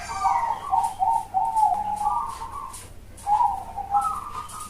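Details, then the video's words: Big-voiced, hollow-toned Bangkok zebra dove used as a master recording: a rolling sequence of mellow coos with gentle upward steps, broken by a brief silence before a final rising phrase. "MASTERAN SUARA PERKUTUT BANGKOK SUARA BESAR dan COWONG"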